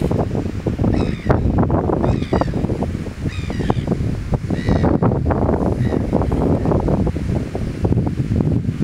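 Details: Terns, possibly Arctic tern (Sterna paradisaea) or Antarctic tern (S. vittata), give harsh, rasping calls, about five over nine seconds, half buried under heavy surf and wind roar.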